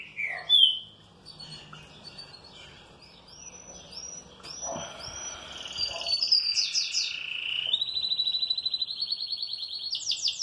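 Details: Well-kept green-winged saltator responding happily in song: a sharp opening whistle, then a series of clear whistled notes, building into rapid, high, repeated notes during the last few seconds.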